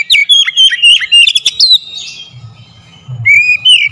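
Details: Oriental magpie-robin, called kacer, in a provoking lure song: a fast tumble of whistled slurs and chips, a buzzy note, a pause with low hum, then a rising clear whistle.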